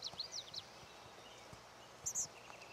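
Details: Lazuli Bunting (Passerina amoena) at Charles M. Russell National Wildlife Refuge, Montana, USA, singing a quick run of high, sweeping notes, then a bright sharp note after a pause, over faint low background rumbles.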